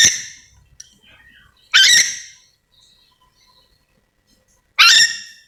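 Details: Calling ornate lorikeet from Sulawesi: rasping, grating shrieks. A fading call opens the recording, then two loud bursts follow about three seconds apart, with faint softer chatter between them.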